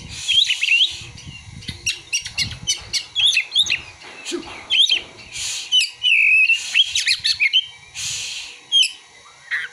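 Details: Oriental magpie-robin song carrying imitated prinia and sunbird material: a busy run of sharp high chirps and short whistled notes, with brief buzzy bursts and a few longer slurred whistles, delivered in rapid irregular phrases.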